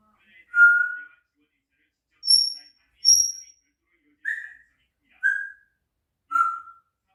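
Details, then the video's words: Four-year-old pet grey parrot whistling indoors; clear whistled notes, two very high sharp ones, then three lower slurred whistles about a second apart, with quiet gaps between. "앵무새ㅡ새소리 효과음"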